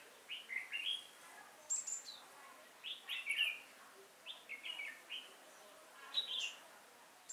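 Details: Trap decoy red-whiskered bulbul, active and wing-flicking, singing to draw wild bulbuls on 5 October 2018; quick clear chirps and short warbles in repeated bursts, with fainter replies from other birds.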